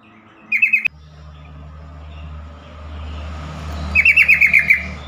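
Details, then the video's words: Yellow-vented bulbul calling, a sound said to draw quick responses from other bulbuls and get stressed birds singing: a short burst of rapid high notes, a sharp click, steady background rumble, then a longer series of about eight staccato chirps. "trucukan call"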